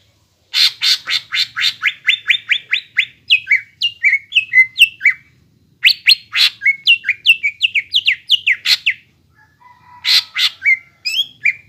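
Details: ['Energetic greater green leafbird song, used to stimulate raw young leafbirds to sing: long runs of buzzy repeated notes shifting into chains of slurred downward whistles, briefly pausing, then resuming.']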